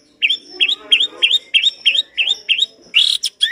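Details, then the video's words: Long-tailed shrike in a chatty singing recording with rich, varied material: a series of short upslurred chevron notes repeated about three times a second, ending in a harsher, buzzy burst of notes. "Masteran cendet gacor dor isian mewah materi komplit"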